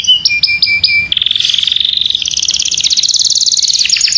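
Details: Masteran training song of a domestic canary, Serinus canaria domestica: four crisp high chirps, then a long rolling trill that climbs gently in pitch and ends in quick downslurred notes.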